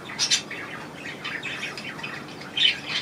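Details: Budgerigars calling while bathing in a budgie room, 25 May 2018: quick high chirps at the start and end, with softer chattering warble in between.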